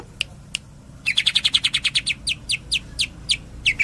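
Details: Greater green leafbird in fast rattling song: two isolated sharp notes, then a rapid series of bright high chips about ten per second, slowing into spaced downslurred notes.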